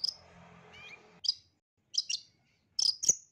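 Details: High sharp chips in pairs and triplets from a long-tailed shrike, used as therapy for a stressed caged bird that will not sing, after a soft buzzy wash and a brief rising whistle.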